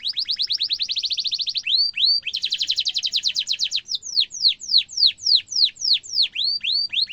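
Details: A canary sings a long roll of high, rapid trills, then sharp downslurred whistles about three times a second, then buzzier trills, with no other sounds; the song is meant as a tutor for young and adult canaries.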